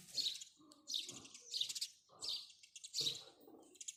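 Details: Loud, clipped house sparrow chirps arrive in about five separate bursts, each a rasping high note, with soft low thuds between them.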